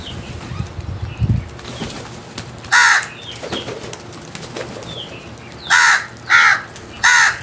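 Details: Crows calling: after a quiet stretch with low rumbling, harsh hoarse caws arrive, one alone and then three in close succession, over faint high chirps of small birds.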